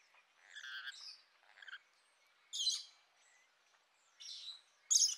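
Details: Buzzy, rasping squawks from rainbow lorikeets, a few drawn-out harsh calls spread across several seconds, the last one sharp and shrill.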